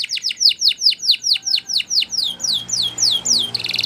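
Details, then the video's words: Spanish Timbrado canary producing a steady chain of loud, downward-sweeping whistled notes, roughly four per second, ending in a brief rapid trill; faint room noise beneath. "Canary Bird Singing !! Spanish Timbrado Song"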